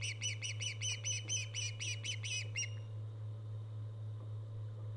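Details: On a live nest webcam recorded 24 August 2014, an Osprey utters a quick burst of shrill, repeated chirps for roughly two and a half seconds, then falls silent, leaving only a low steady hum.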